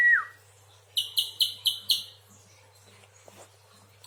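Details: A spiderhunter gives five quick, high, sharp chips in a row, preceded by a brief falling whistle, then near quiet apart from one last note.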